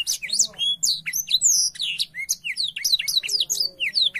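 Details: Spreading its wings as it sings vigorously, a blackthroat pours out a dense, unbroken stream of piercing high whistles and quick downslurs, varied and rapid throughout.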